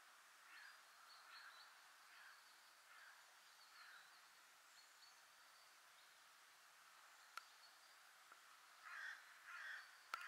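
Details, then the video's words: Hooded crow at Ljubljansko barje on 2 October 2023 gives harsh, hoarse caws in loose bursts about every second, louder near the end, over a steady background hiss with a couple of sharp clicks. "Corvus cornix SIVA VRANA"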